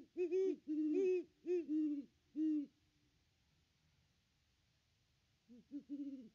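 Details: Great Horned Owl, one of a pair visiting the nest tree on 25 December 2021, filmed by a nest cam: five steady low hoots about half a second apart, a silent stretch, then three fainter, slightly lower hoots.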